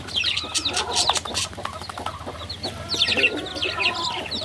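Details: Baby chickens peeping in busy overlapping high chirps, mixed with loud clicks and rustling, the chirps thickening again toward the end.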